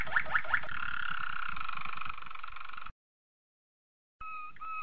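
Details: A Malinois (Belgian) canary sings a few quick rising sweeps, then a long, low, rolling trill; after a silent pause, another smooth, warbling roll begins.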